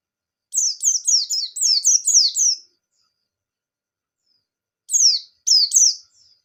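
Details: White-eye song in 'ngalas nembak' style, played to encourage young birds to sing: a rapid two-second string of about nine high, falling slurred whistles, a long silence, then two more short clusters of bright descending notes.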